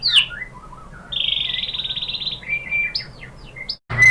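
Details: White-rumped shama song used as a lure to provoke another shama into singing: a buzzy, rapidly trilled note held about two and a half seconds, then whistled slurs and a sharp high chirp.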